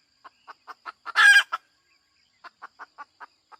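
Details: Hen sounding a rhythmic run of short clucks that builds to one loud, rasping, stretched squawk, followed by more evenly spaced clucks. A faint high hum sits in the background.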